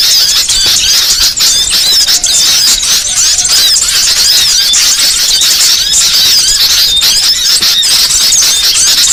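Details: Small birds calling together as a lure for trapping, a loud, unbroken flurry of shrill squeaks, ticks and looping whistles packed tightly over the whole stretch.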